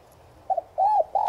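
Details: Morning coo of a spotted dove of subspecies tigrina, kept as a lure to rouse other doves, Giọng Son style: a brief doubled note, an arched hooting note, then the onset of a longer sustained coo.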